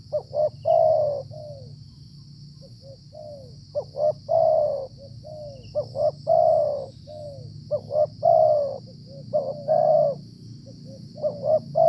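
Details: Wild spotted dove cooing during decoy trapping in the rainy, flooding season, a bird that calls in cold weather usually being the area's dominant male; soft, hollow coos in groups of two to four, over a constant low hum.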